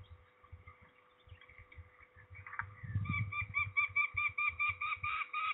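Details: Peregrine falcon at a ringing session in Trzebież, Poland, 13 May 2019: faint drawn-out calling, then a loud thud and a steady series of harsh cackling notes, about two a second, growing louder.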